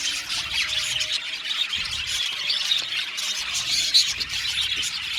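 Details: Australian budgies chirping as a group in an aviary, overlapping twittering and grating squeaks, with one sharp bright whistle standing out toward the end.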